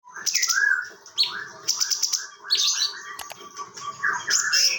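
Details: Chinese bulbul from Bekasi Timur, Indonesia, kept as a tutor bird for vocal training, giving a varied song of whistled slurred notes and short chattering phrases with brief pauses between bursts.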